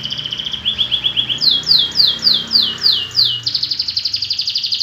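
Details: Caged canary singing a rapid trilled song of repeated high, sweeping notes, changing phrase every second or so, over a low background rumble.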